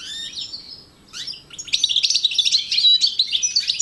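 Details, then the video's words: Pair of European goldfinches of the Constantine type, 2010: a few scattered high chirps, then a dense, fast, liquid twittering song of tinkling and buzzy notes that grows louder toward the end. "Couple du chardonneret 2010 الحسون القسنطيني الاصيل"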